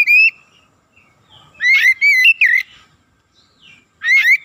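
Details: Singing Oriental magpie-robin used as a quick lure to rouse others: a single pure whistle, then a tight cluster of slurred, rising and falling notes, a pause, and another rising whistle.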